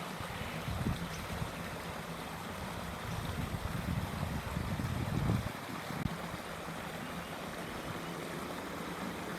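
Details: Steady broadband rumble of wind and distant traffic-like noise in a suburban park, rising briefly around the middle, with no clear animal calls.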